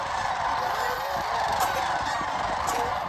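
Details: Brief burst of a massed sandhill crane chorus, Jasper-Pulaski Fish & Wildlife Area, Medaryville, Indiana, November 22, 2023; countless overlapping rolling bugles form an unbroken roar.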